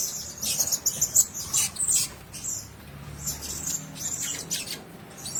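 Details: Several high, shrill chirps from caged blue-crowned hanging parrots come in quick clusters early on, then fade into softer scattered squeaks and light scratching.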